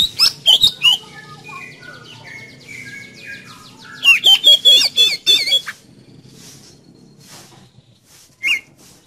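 Oriental magpie-robin singing a varied, energetic song: loud bright whistles and harsh notes, a falling run of clear whistled phrases, then a fast chattering burst before one last note.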